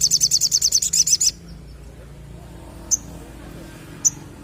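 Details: Energetic song of a Crimson sunbird: a quick, high, sizzling trill of repeated notes for just over a second, then two isolated sharp high chips against faint low hum.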